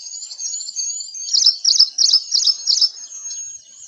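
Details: Ashy Prinia in India giving a short burst of six quick, bright, high notes at roughly three per second, rising in loudness then fading, with a soft steady high whine of other birds behind.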